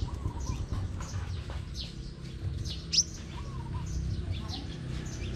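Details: A crimson sunbird gives its combative, competitive song: rapid, thin, high-pitched twittering chirps in quick bursts over a steady low rumble of background noise.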